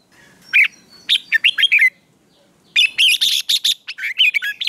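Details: Red-whiskered bulbul training for singing contests in the morning: a phrase of lively warbled notes, a pause, then a burst of harsh chattering notes and rolling warbles.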